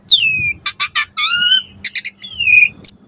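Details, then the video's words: Asian pied starling singing a lure phrase to draw answers: a long falling whistle, then harsh buzzy notes, a layered nasal squawk, more rasping pulses, and another drawn-out descending whistle. "Suara Jalak Suren Pancingan AMPUH Full Isian Variasi Agar Burung Jalak Auto NYAUT Cepat Gacor Isian"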